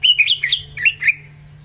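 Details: Brief greater green leafbird tutor song, aimed at getting birds fired up: a handful of rich, swooping whistled notes in quick succession, fading out after about a second.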